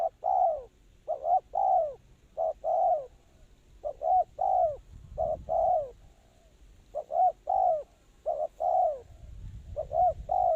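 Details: Cooing spotted dove serving as a lure for trapping, repeating mellow, hollow multi-note phrases about every second and a half, slightly distant, over a steady low rumble of background noise.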